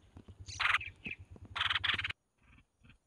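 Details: As the mother red-whiskered bulbul feeds them, the chicks give loud, hoarse begging bursts with a high squeaky edge, then the calls drop to two faint short rasps; a low pulsing hum runs beneath.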